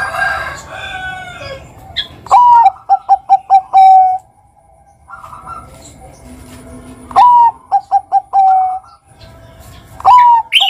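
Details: Bangkok-type zebra dove, lure song in the ngerot kuwor pattern to prompt young doves; a rising opening note is followed by rapid short notes and a drawn-out close, repeated three times, with a chattery burst at the start.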